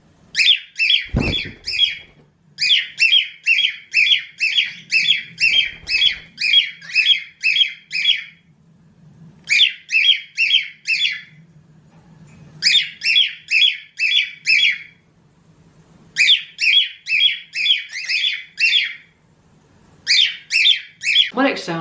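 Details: A cockatiel screams in loud, shrill bursts, rapid pulsed notes repeated in runs like a fire alarm; such screaming signals alarm, agitation or territorial behaviour, often while marching around or chasing another bird.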